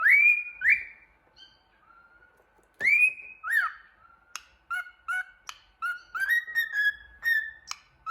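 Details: Happy cockatiel looking in a mirror, whistling and singing: drawn-out rising whistles with rich overtones, then a series of short clipped chirps and warbled notes in an irregular rhythm, indoors.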